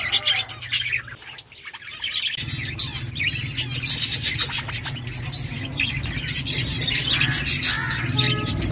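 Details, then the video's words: Parakeets chirping: busy high chattering and tweets over a steady low hum that starts after a brief quiet moment. "Budgies sounds to make them happy | Parakeet Chirping"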